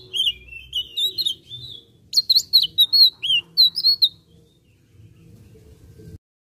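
Blue-eared kingfisher giving high, shrill squeaky notes and short wavering trills, about four per second, for four seconds before falling silent; a faint low hum underneath.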